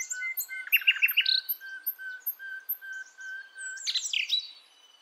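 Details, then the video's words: Nightingale (sikatan londo), a wild Javanese forest female calling a male, used to lure young birds; rapid stuttering chirps over a repeated level whistle, a high ticking series above, then a loud twittered burst. "Nightingale Bird Singing - Suara Kicau Burung Sikatan Londo Kipas Rimba Emas"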